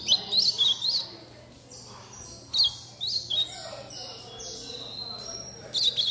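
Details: A chick of Chestnut-bellied seedeater, bred in a home aviary, copying blue-black grosbeak song in short high chirpy phrases of two or three sharp notes, scattered with gaps, against a faint constant hum.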